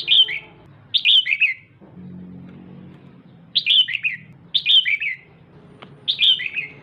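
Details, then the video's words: Female red-whiskered bulbul calling to stimulate the male: five short falling three-note chirp phrases, roughly one per second with a gap, a low rumble in the pause. "Chào Mào Mái DAM DANG Kích Trống Bắn Tùm Lum"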